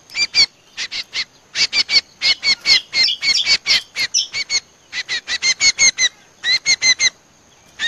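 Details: Common Iora (cucak combo) lure call played back by bird trappers to attract the species: rapid bursts of harsh, buzzy chattering notes, many in quick succession with brief gaps, bright layered overtones, no other sounds.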